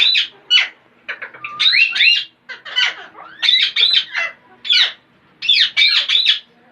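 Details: Parrots producing weird, funny sounds: grating squawks alternating with sweeping whistles that slide upward, delivered in irregular clusters with a faint background hum.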